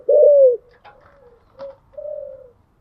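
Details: A kept spotted dove cooing in the morning: one loud, drawn-out hollow coo that slides slightly down, then two soft, fainter coos with a light tap between them.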